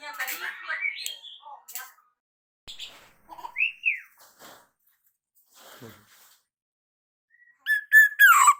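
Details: Hand-raised young black-naped oriole (Javan kepodang), freshly moulted from spotted juvenile plumage, practising its 'ploong' song: rough chattering notes, an arched whistled note, and a burst of clear repeated whistles near the end, with quiet pauses between.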